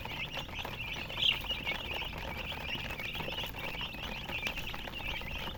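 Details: A group of chicks keeps up steady, high, thin peeping, softer and more distant, with one brief sharper chirp standing out against faint background hiss.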